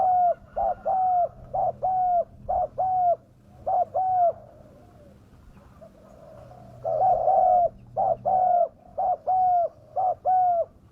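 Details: Spotted dove calling, played as a lure for wild doves. Rhythmic pairs of short and long coos repeat roughly once a second, with a pause in the middle, then cooing resumes strongly.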